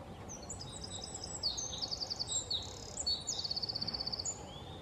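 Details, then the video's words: A Eurasian wren (Troglodytes troglodytes) pours out a loud, very high, rapid song of sharp trills and rattling runs, with a steady low background hiss. "Winterkoning – Troglodytes troglodytes"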